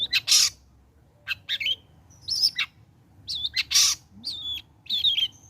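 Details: Long-tailed shrike, called cendet locally, singing after moulting; bursts of harsh notes mixed with high thin whistles and short warbled phrases, separated by brief pauses, used as a lure sound to make other shrikes sing.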